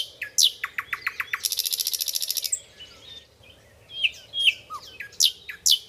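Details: Common nightingale (Luscinia megarhynchos), song.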